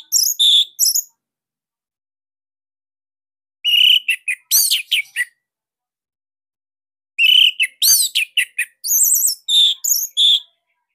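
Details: Orange-headed thrush of the Bali type, a caged bird, singing a master song used to train other cage birds: loud, tight, sharp whistled phrases in three bursts of rapid notes separated by silent pauses.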